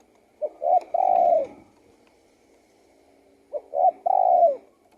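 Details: Two cooing phrases from a spotted dove, each a soft short note, a second short coo and a longer descending coo, separated by about three seconds of near silence.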